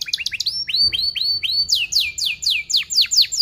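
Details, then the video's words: Canary lure song for training young canaries learning their sounds: a fast, tight, rolling run of high, downward-sweeping whistled chirps, 'cuit cuit', repeated several times per second with barely a gap. "Kenari Gacor Paud SPEED RAPAT Cuit cuit Ngerol, Pancingan Kenari PAUD BELAJAR BUNYI & kenari MACET"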